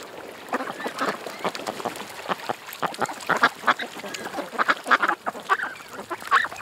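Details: Ducks at a creek give scattered short quacks that thicken in the second half into louder overlapping bursts over a soft hiss of background noise.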